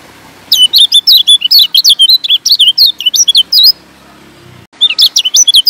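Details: Lombok yellow white-eye, locally kecial kuning, with song intended to draw in other birds: after a quiet start, a dense run of high, sweet, rapidly modulated chirps, a pause, then more quick twitters.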